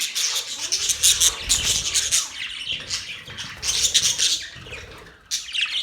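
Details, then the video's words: Pet budgerigars chirping, recorded October 11, 2023: dense overlapping high chatter of scratchy squawks and tweets in waves, with soft low thumps like wing flaps or cage movement and a brief lull near the end. "Budgies chirping sounds"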